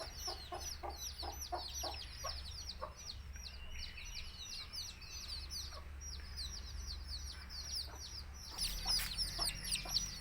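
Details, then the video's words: Native country chicken chicks chirp in a busy high chorus of falling peeps, with a quick series of low clucks early on and a louder burst of noise near the end. "Cute Baby Chicks Chirping Sounds"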